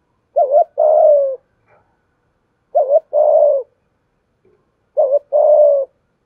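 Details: Spotted dove used as a lure to rouse and train fresh birds, calling in the 'giọng thổ' voice: three evenly spaced phrases, a brief notched coo then a longer steady coo, with faint clicks between.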